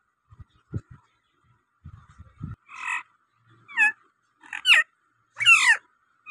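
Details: Native rose-ringed parakeet kept as a talking pet: after scattered low taps, four harsh, rasping screeches follow one another, each louder and more ragged than the last.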